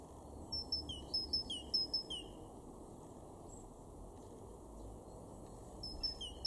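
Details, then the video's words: Great tit in a garden in Weener, East Frisia, far northwestern Germany, March 2023: thin high notes, each followed by a lower slurred note, in quick pairs, a burst at the start and another near the end, over steady low background rumble. "great tit 0:00"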